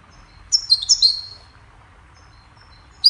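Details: Goldfinch giving a brief high twittering phrase of a few quick tinkling notes, followed by a pause and one clipped note at the end. The recording serves as a cheerful melody for training songbirds.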